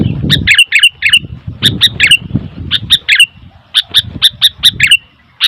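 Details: Sooty-headed bulbul calling noisily: rapid series of sharp clipped chirps repeated in clusters, over low rumbling background noise.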